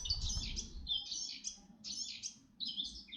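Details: Red-backed shrike at Artomaña, Orduña, Spain, 2025, repeating a short scratchy, buzzy high phrase four times in about three seconds, with light low rumble beneath.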